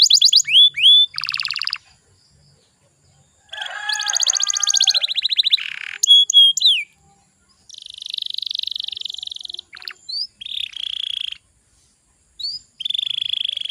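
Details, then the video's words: A canary sings as a lure to coax young birds into song. The phrases are broken and varied: sharp descending whistles, rapid buzzy trills, and long high rattling rolls, separated by short pauses. "PANCINGAN KENARI BAHAN AGAR CEPAT GACORR"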